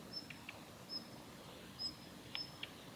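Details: Female Daurian redstart at the Kitafuji training area, Japan, on 7 November 2021, giving ground calls: thin, high whistled 'hiit' notes about once a second, mixed with soft clicking 'tak' notes; quiet, open background.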